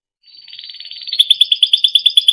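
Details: Timbrado canary in song for training: a soft rising buzzy trill swelling into a steady series of loud, evenly spaced pulsed notes, about ten each second.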